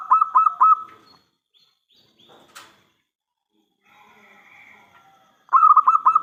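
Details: Zebra dove, local type, singing to lure other doves into answering: a rolled cooing phrase at the start and another at the end, with a quiet middle holding faint scratchy and hissing sounds.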